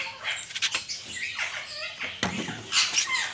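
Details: Pet talking ringneck parakeets in an angry mood, letting out grating squawks with swooping, falling pitch and short raspy bursts, several overlapping over a few seconds.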